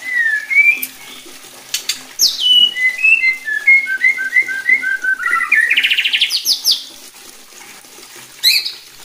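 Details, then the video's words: White-rumped shama singing to make other shamas more vocal and aggressive; clear whistled phrases descend in steps, then a rapid rising rattle of repeated notes, ending with a sharp high note. "bikin MURAI BATU LAIN JADI GACOR EMOSI,,MUNTAH ISIAN"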